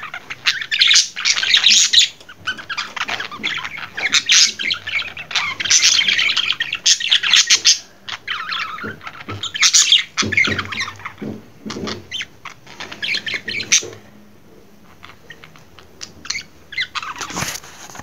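Budgerigar chattering with a rapid stream of scratchy chirps, squawks and warbled notes.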